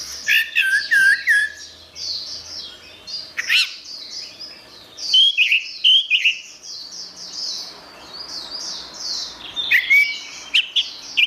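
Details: Orange-headed thrush delivering a busy, varied song: chattering high phrases and slurred whistles in rapid bursts, separated by short gaps, with a loud clear whistled phrase late in the sequence.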